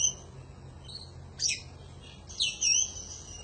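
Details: Oriental magpie-robin (kacer), lively 'gacor' song in panjingan style for tutoring other birds: a faint high whistle, a harsh burst, then a longer bright whistled phrase with overtones.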